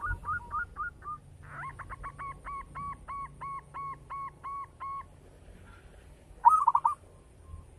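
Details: Local zebra dove, a keen singer with a big voice: quick stuttering coos lead into a long regular series of about a dozen evenly spaced two-part coos, then a loud rolled trill after a pause.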